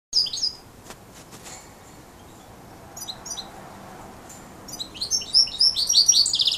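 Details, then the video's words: Major goldfinch crossed with canary, singing thin high twittering phrases that start sparse after a quiet gap, then build into a fast, dense run of bright chirps and trills near the end. "chant mulet major x canari"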